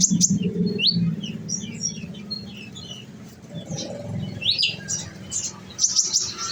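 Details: Olive-backed sunbird, a nectar-fed cage bird, giving scattered high squeaky chirps and short twitters, some fainter, with low rumbling noise and a few clicks behind.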